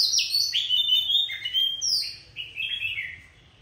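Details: Song of an old wild forest Oriental magpie-robin, described as fierce: varied whistled phrases sliding down then up, rich and loud at first, fading into shorter repeated notes.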